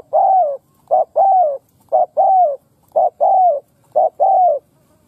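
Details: Molting spotted dove from Đồng Pha with a good voice and quick delivery cooing steadily: a short note then a long sliding coo, paired about once a second without pause, clean and quiet background.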